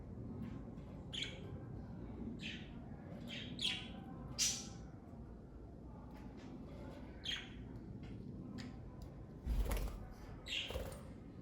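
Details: Scattered short, high chirps from a pet parakeet family, single notes every second or two, with a brief knock or thud near the end and a low background hum.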